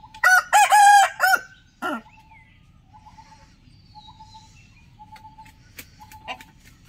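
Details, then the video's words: A rooster gives one loud, harsh crow in several broken syllables, rising then falling and ending abruptly; faint soft clucks and small background noises follow. "Rooster Crowing Sound"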